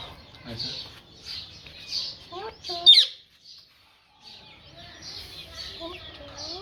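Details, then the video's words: Talking parrot giving high, thin chirps between short bursts of word-like syllables with sliding pitch, a sharp squawk in the middle, then a second of silence before more chattering. "Parrot Talking"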